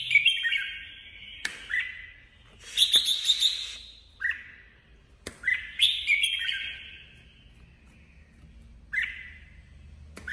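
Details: Caged female red-whiskered bulbul used as a trapping decoy, singing competitively. It gives fluty warbled phrases with a buzzy, trilled burst in the middle and a few short swooping notes between longer pauses.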